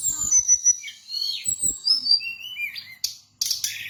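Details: Brown-chested jungle flycatcher from Bali, a bird kept for singing, delivering a varied high song of sharp whistled notes and slurred phrases with short chattering bursts and clicks, ending in loud noisy rasps.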